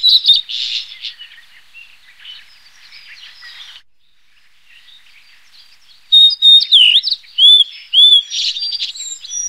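Blue-and-white flycatcher singing clear, sweet whistled phrases with rising and falling slurs and buzzy notes, in bursts around quieter twittering.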